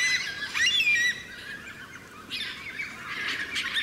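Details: Carnaby's Black Cockatoo in Western Australia giving harsh, wheezy squawking calls, one long burst followed by two shorter ones after a pause.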